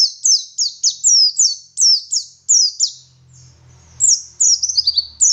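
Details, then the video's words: Garut dakun white-eye from West Java singing wit wit phrases: a quick series of high, falling whistles, a short quiet break with a low hum, then a rapid, jumbled twittering flourish. "Burung Pleci Gacor Ngalas Wit Wit Sambung Ngeriwik Full Isian"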